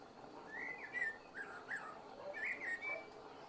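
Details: Common blackbird giving a calm, unhurried evening song: low, flutey warbled phrases, each ending in thin, high twittering notes, with two phrases in about three seconds over a faint background hum.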